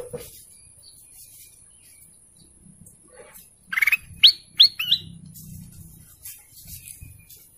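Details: Golden canary giving a burst of sharp rising chirps, one short trilled note followed by three quick upward-sweeping whistles, then a quieter pause with a low rumble in the background.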